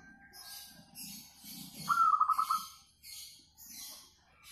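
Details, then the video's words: Local zebra dove, a sweet-voiced singer used as a lure for singing: a short opening note followed by about five fast bubbling coos, against soft low murmur and faint high twittering. "KUTUT LOKAL SUARA MERDU SEKALI, COCOK BUAT PANCINGAN MANGGUNG"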